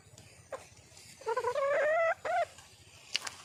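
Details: Wild junglefowl hen calling for a male: a drawn-out, harmonic, rising and slightly wavering cry lasting under a second, followed by a short second note, with faint clicks and a sharp tap near the end.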